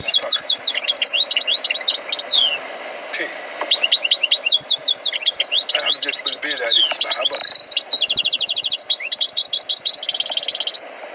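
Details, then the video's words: Tutored European goldfinch in full song: fast, high, tinkling twitters and quick downward slurs in dense bursts, with brief buzzy trills, broken by a short pause. Faint voices and a steady background hum underneath. "غناء حسون قمة في الأداء غلطة لا _Chant du chardonneret"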